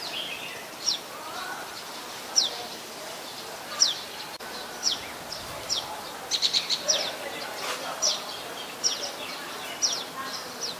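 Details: Common tailorbird, an adult of a common resident population, recorded at Ubon Ratchathani, Thailand, on 27 January 2021: sharp, high chirped notes repeated at irregular intervals, some in quick bursts, over a steady background hiss.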